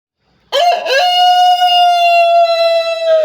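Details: Kekok chicken giving a melodious crow: a short rough rising start breaks into one long, steady, tonal note held for over two seconds, then tails off slightly lower. No other sounds are present.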